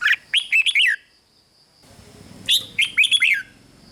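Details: Two brisk phrases of red-whiskered bulbul rik song, rapid chirpy whistles sliding downward, split by a second-long pause with a low murmur of background noise.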